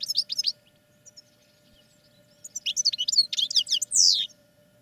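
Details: Caged European goldfinches kept for song training; two bursts of rapid, high twittering notes with buzzy chirps, separated by a quiet gap, with a faint steady hum in the background.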